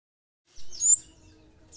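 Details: Olive-backed sunbird, a short bright high chirp with a quick rising-falling sweep lasting about half a second, followed by a faint low hum; otherwise quiet.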